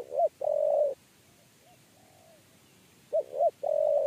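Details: A spotted dove, lured while trapping, coos in low, hollow notes: a short clipped note, then a drawn-out steady 'kuuu', repeated about three seconds later against a quiet background.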